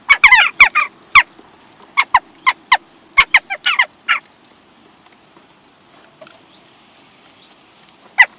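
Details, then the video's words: Western jackdaws at a bird feeder in Recke, Germany, 22 April 2021, arriving as a hungry group, give a rapid run of sharp metallic 'tchak' calls, several overlapping, then scattered single calls; another bird briefly gives a thin descending whistle. "Der Dohlenclan"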